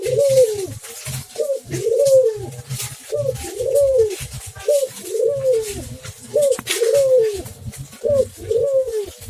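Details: Spotted dove singing actively indoors: low mellow coos repeated steadily, alternating longer arched notes with short clipped ones, about every second. There is a low background hum and light room noise.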